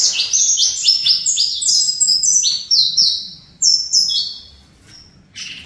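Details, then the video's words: Saffron finch in a cage sings fibra song: fast strings of bright, downward-sweeping notes packed into four seconds, then trailing off into a couple of isolated high chips. "Canário Fibra CCM"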